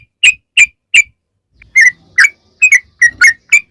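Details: Yellow-vented bulbul lure song: three spaced whistled chirps, then a faster run of liquid, downslurred notes, with faint low background noise.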